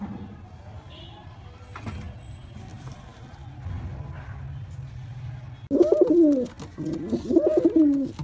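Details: Pigeon courtship, a male calling a female: several seconds of background noise and faint murmurs, then two loud, throaty rolling coo phrases near the end, each wavering down in pitch.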